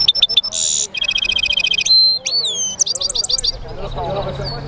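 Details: European goldfinch mule singing a lively, fast song of high rapid trills, a buzzy burst, sweeping slurred whistles and chattering notes in quick succession, with faint murmuring underneath.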